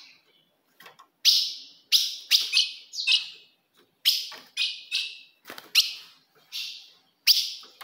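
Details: Female ultramarine grosbeak call, the fogo de fêmea used to excite a male: about a dozen crisp, high chips in uneven bursts, some doubled or tripled, with brief silences between groups.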